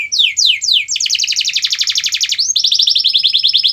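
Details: Canary singing, used to prompt a reluctant canary to sing: a few quick downslurred whistles open into long rolling trills of fast repeated notes, bright and high, changing tempo midway.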